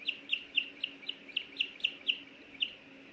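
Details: Nest camera at Hellgate Canyon, Missoula, Montana, 24 May 2024, feeding time with a small fish delivered by the male and the female seeking a bite: a loud, steady series of about ten piercing high chirps, roughly four per second.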